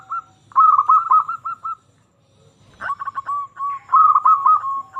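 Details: Zebra dove, local Indonesian bird, singing persistently as a lure for silent doves: a hurried stuttering phrase of coos, a silent gap, then a sharp click and further rapid, even notes.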